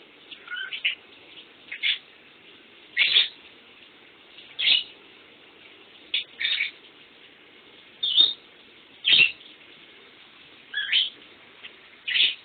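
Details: Pet lovebird calling while someone takes a shower. Short, shrill, high chirps come singly or in pairs about every one to two seconds over a steady hiss of running water.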